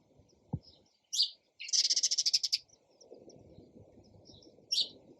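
A sparrow gives bright, high chirps, including a fast run of about a dozen notes, with a low background rumble and a single thump.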